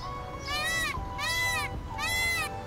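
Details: Indian peafowl (Pavo cristatus): three loud, nasal, wailing peacock calls, each about half a second, arching up then down, roughly every 0.7 seconds over a faint hum, as a peacock displays its feathers among other calling peacocks.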